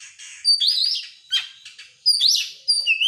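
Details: Oriental magpie-robin lure song for other birds, featuring long slurred whistles rising and falling, a scratchy burst in the middle, and a final clear whistled note.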